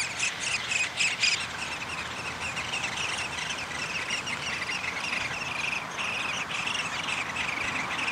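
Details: Feeding at a downy woodpecker nest on May 20, 2021: loud rapid high chattering bursts open the stretch, then a softer, continuous buzzy chatter carries on to the end.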